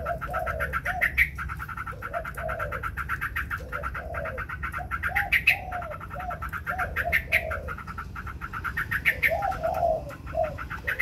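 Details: White Chinese hwamei singing against a rival with wings spread: dense rapid chatter of bright repeated notes layered over low, mellow rolling phrases, steady throughout.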